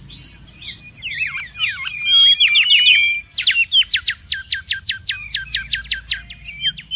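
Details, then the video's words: Lively song of a wild mangrove whistler: a jumbled opening of high slurred whistles, then a steady series of about fifteen loud, sharp down-slurred notes at an even pace; quiet low background noise. "SUARA PIKAT DAN MASTERAN BURUNG KANCILAN BAKAU RIBUT DI ALAM LIAR"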